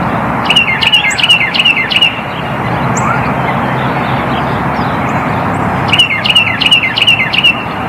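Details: Northern cardinal (Cardinalis cardinalis) calling: quick runs of five or six sharp, high metallic chips in two bursts several seconds apart, over a steady low rumble like distant traffic.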